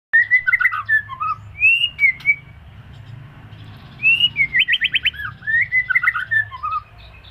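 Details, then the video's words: White-rumped shama during moult singing clear whistled phrases, some rising and some falling, in two bursts with a pause between; the second burst includes a fast rattling trill followed by slurred whistles. Low background hum. "Suara Murai Mabung"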